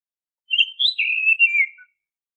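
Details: Oriental magpie-robin song used as a lure for caged birds: one continuous high whistled phrase about one and a half seconds long, rising then sliding down with warbled inflections, in silence.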